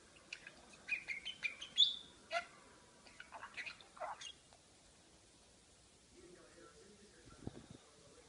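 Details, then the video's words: A pet parakeet talking: quick, high chirps and whistled, speech-like warbles for about four seconds, then quiet apart from faint background noise. "Periquito Maca hablando"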